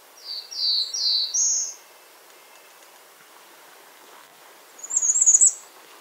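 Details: Very high, thin bay-breasted warbler calls: a quick run of four slurred notes, a long quiet gap, then a shimmering high trill, with light background noise.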